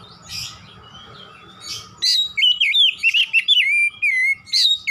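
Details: Oriental magpie-robin singing in the lively 'gacor nembak' style: after two seconds of quiet, loud rapid bursts of sharp whistled notes, slurred and rising-falling, fired in quick clipped phrases to the end.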